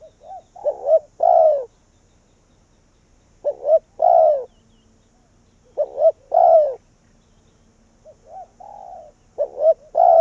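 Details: Spotted dove as a decoy calling wild doves in: four coo phrases of quick rising notes and a long falling coo, spaced about two seconds apart, with a softer coo from another dove near the end.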